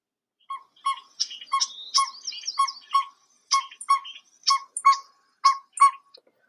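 Northern Pygmy-Owl giving short, hollow toots at a brisk, steady pace, about one per second, with higher chattering and trilling bird notes over them.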